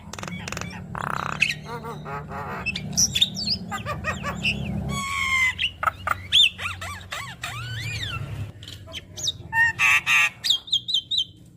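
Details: Javan myna giving a chattering song rich in varied phrases, used to prompt other mynas to sing: whistled upslurs and downslurs, harsh squawks and buzzy notes, ending in a rapid run of short clipped bursts, over a steady low hum.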